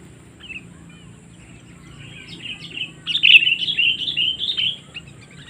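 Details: Sooty-headed bulbul calling to lure wild birds for trapping: faint scattered chirps build into a louder, bubbly warbled phrase of rising and falling notes in the second half, with a low background hum.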